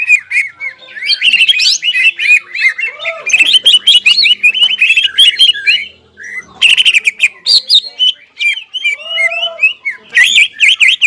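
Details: Crest-raised greater green leafbird delivering a long, rich medley of quick whistled and twittering notes, mimic-like and constantly changing, with loud bursts and brief lower slurred notes between phrases.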